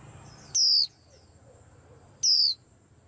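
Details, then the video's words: White-eye kept in a cage giving bright, high, falling whistles, two sharp phrases spaced under two seconds apart over a quiet background with a steady thin high hum. "Tiếng Chim Khuyên Làm náo loạn cả giàn"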